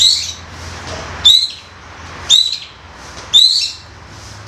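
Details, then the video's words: Young forest White-rumped shama, loud 'koar koar' luring sound: a sharp, high, harsh note repeated about once a second, each a brief upward flick with a buzzy edge, separated by near silence. "MEMANCING MURAI MUDA HUTAN KOAR KOAR"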